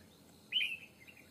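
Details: Red-whiskered bulbul in a fighting trap against a wild bird: one short warbled whistle that drops and then trails off, followed by soft fainter notes.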